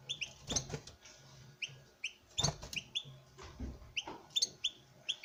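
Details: Captive male European goldfinch courting a female, repeating high, down-slurred chirps in small groups, mixed with loud cage clatter and tapping sounds.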